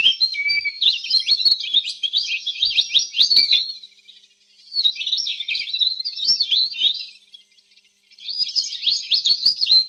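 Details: Three long bursts of canary song, each a fast run of high warbled chirps and trills, separated by short pauses, clear and pure with no other sounds.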